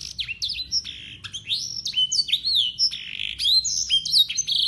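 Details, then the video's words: Local Yorkshire canary with blackthroat and sanger song material, singing varied whistled slurs, drawn-out buzzy notes and sharp upward sweeps in an unbroken, clear stream over faint low background hum. "KENARI YORKSHIRE LOKAL GACOR FULL ISIAN BLACKTHROAT SUARA JERNIH"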